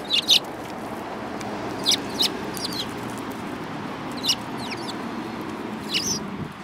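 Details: Eurasian tree sparrows on 7 March 2018, one with a yellowish beak; loud doubled chirps, then scattered slurred tweets every second or two, above a continuous low hum.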